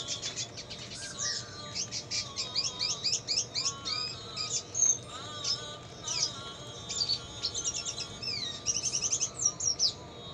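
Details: Red siskin singing on a tutor recording for cage birds, noted as an eager singer, with lovebird sounds mixed in; a long, varied run of rapid high trills, buzzy notes and sweeping whistles, repeated in dense phrases with brief gaps.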